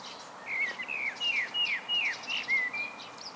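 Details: Blackbird solo song: a series of about seven short slurred whistles, each falling in pitch, given in quick succession at a steady pace, over faint background hiss.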